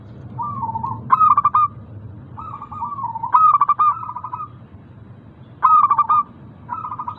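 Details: Singing zebra dove of a local type, used as a prompt for doves that will not sing. Gentle wavering coos lead into sharp, rapidly pulsed bursts, repeated about every two to three seconds, with faint low hum.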